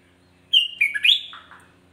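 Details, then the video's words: A single brief phrase from a sooty-headed bulbul, sung to provoke other bulbuls: clear slurred whistles that step downward, then rise into a fluty flourish. "Hanya hitungan detik kutilang lain pasti ikut emosi"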